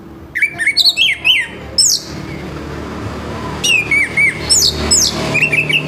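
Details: Orange-headed thrush singing strongly at dawn, a harsh song aimed at getting other orange-headed thrushes singing. Two bursts of rapid, hooked whistles with grating edges are separated by a pause filled with faint background hiss.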